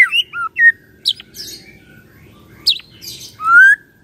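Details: White-rumped shama morning lure song used to make a silent shama answer. Sparse clear whistles, a few sharp high ticks and one long rising whistle at the end, with gaps between notes.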